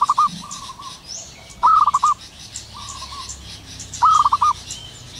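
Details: Morning cooing of a wild local zebra dove: a clipped, bubbling series of four or five notes, repeated roughly every two to three seconds, with softer drawn coos in between and distant bird whistles.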